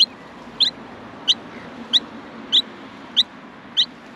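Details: Young Australian miners in the nest asking for food: shrill, clipped chirps repeated about every six tenths of a second against a steady hissy background.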